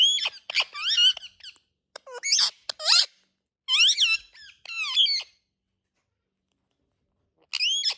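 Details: Indian ringneck parrots chattering with rapid harsh squawks, sharp clicks and rising screeches in a dense burst, then silence before one final screech.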